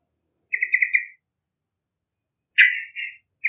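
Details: Active yellow-vented bulbul, its voice for drawing in young birds: a pulsed bubbling phrase, a pause, then a strong slurred note running into a short warble.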